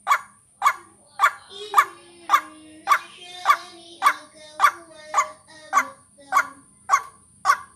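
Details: White-breasted waterhen call played as a lure for vocal training, with coarse notes repeated evenly almost twice a second. Long wavering tones overlap in the middle, and a high constant whine continues throughout.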